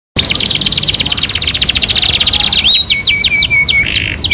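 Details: Canary singing on a two-in-one master training recording: a fast, dense run of high buzzy trill notes for over two seconds, then slower looping whistled sweeps and a steady held whistle near the end.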